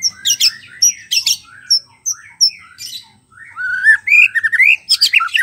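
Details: Forest-dwelling wild White-rumped shama song, meant to coax a quiet shama into singing: sharp chattering bursts and short whistles alternate, followed by a loud run of rising whistled and buzzy notes.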